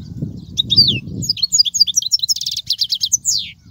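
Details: European goldfinch song, used to teach goldfinch chicks: rich twittering with liquid chirps, a drawn-out descending whistle, and a dry buzzy rattle, delivered in a quick, varied, continuous stream.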